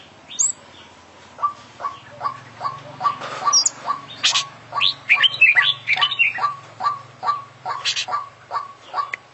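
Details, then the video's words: Champion kacer (oriental magpie-robin) delivering full 'isian' song: steady short mid-pitched notes roughly every half second, broken by harsh buzzy bursts and a tangle of rising, warbled whistles, over a faint low hum. "Full Isian Juara Internasional Burung KACER Gacor"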